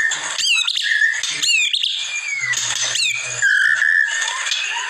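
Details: Masteran recording of a white-rumped shama, or murai batu: separate bursts of sharp, high rising notes and sliding whistles with short pauses between them, over a faint low hum.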